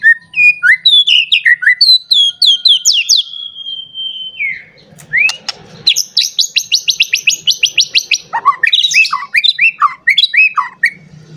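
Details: Agitated white-rumped shama looking for a rival, delivering a varied song: slurred whistles and falling notes, a long steady whistle, then a fast run of high chattering chirps and downward-sweeping phrases, with soft low rumbling behind.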